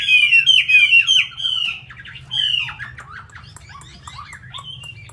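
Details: Caged Chinese hwamei from Hanoi, Vietnam, kept as a loud-singing fighting bird: rich, loud whistled phrases of slurred, falling notes in quick succession, a long clear whistle near the middle, then quieter, varied twittering over a low background hum.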